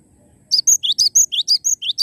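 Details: Loud, rapid cinereous tit song: a quick string of rising high chirps, each followed by a shrill whistle, repeated in an even rhythm of about five notes per second.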